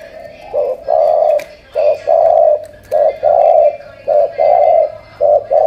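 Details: Spotted dove, described as 'tú', from Cà Mau, Vietnam, giving a regular series of hollow coos, each a short note and a longer drawn note, five phrases about 1.1 seconds apart.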